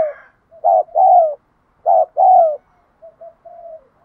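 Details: Spotted dove cooing to train decoy birds: two strong phrases, each a short coo followed by a longer falling coo, then a few soft, brief coos fading away.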